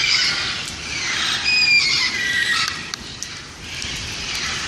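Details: Parrots in Pasadena on a rainy day, 2 December 2014, making a strange, loud sound: a dense, continuous wash of shrill squawks and screeches from many birds, with some drawn-out whistled notes.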